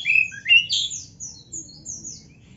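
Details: Oriental magpie-robin in full, lively song from a masteran training recording meant to build a fighting spirit: sweeping whistled notes and quick slurred phrases, high and bright, fading toward the end over a low background hum.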